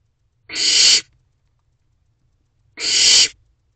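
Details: A young barn owl in a nest box at 8:39 pm on 5 July 2023, managing to swallow a rabbit whole. Two long, harsh, noisy hisses sound roughly 2.3 seconds apart over a quiet background.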